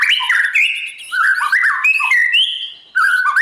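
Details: Dawn voice practice of a white-rumped shama preparing for song competition, a mellow continuous flow of rich fluting whistles gliding up and down, a short quiet break, then a fresh loud whistled phrase.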